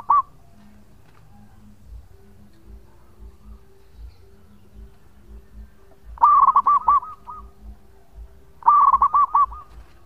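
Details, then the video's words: Local zebra dove in full song with a long voice, used as a lure: two bursts of rapid, bubbling coos, each a quick run of rolling notes a few seconds apart, over a low steady hum. "Perkutut Lokal Gacor Suara Panjang buat Pancingan"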